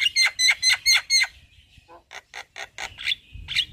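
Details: Lively daytime Javan myna in front of a house, showing its full repertoire: five evenly spaced harsh, squawky double notes, a brief pause, then a quicker run of rasping clicks ending in a thin drawn whistle.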